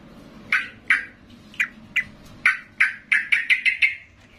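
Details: Yellow-vented bulbul calling loudly and excitedly, stirred up by another bulbul. Separate liquid notes come at first, then speed into a quick run near the end.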